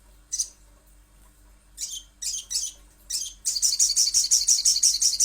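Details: Little spiderhunter uttering several separate sharp, high squeaky notes spaced about half a second apart, then breaking into a steady, fast chatter of evenly repeated piercing notes.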